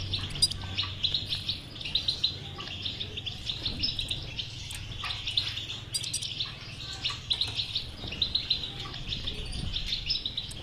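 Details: Caged European goldfinch song played to encourage a silent goldfinch to sing; a long, unbroken stream of bright twittering, chirps and liquid trills, fairly even in loudness, with low background hum.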